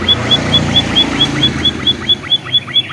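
A pipit finch gives a steady run of thin, high chips, about four to five a second, over a low engine-like rumble.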